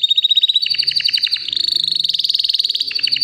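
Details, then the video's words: White canary about three years old, healthy and ready to breed, singing a continuous high song: a sustained whistled note then fast repeated trills and rapid chattering notes, loud and unbroken. "BEAUTIFUL WHITE CANARY NON STOP POWERFUL SINGING"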